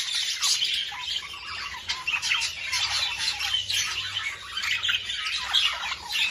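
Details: Busy budgerigar twittering played to encourage breeding, full of quick chirps, scratchy squawks and rolling warbles that rise and fall in loudness throughout.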